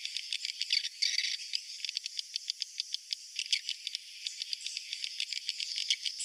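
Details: Swiftlets give a dense stream of dry, high clicks and short buzzy chirps, several every second, overlapping in a rattling chatter with no other sounds; a roosting-lure call for swiftlets.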